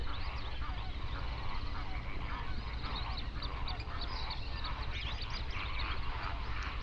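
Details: Dense chorus from hundreds of flamingos on a national park lake, Overberg region, South Africa, at sunrise. Countless overlapping honks and gabbling notes blend into a continuous, busy murmur.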